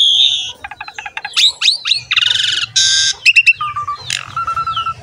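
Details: Asian pied starling lure song with a loud rasping buzz, ticking runs, rising squeals and flat whistles, over a low background hum.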